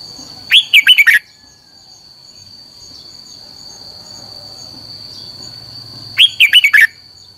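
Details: Red-whiskered bulbul used as a lure bird for training, singing 'căng lửa': two fast warbled five-note phrases roughly six seconds apart, separated by quiet hiss and a persistent high tone.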